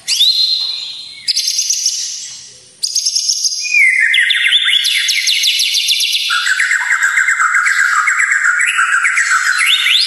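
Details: Full-variation White-rumped shama song for training and provoking emotion: high sustained whistles in separate bursts, then a long loud sequence of rapid, repeated notes that step down in pitch and rise again.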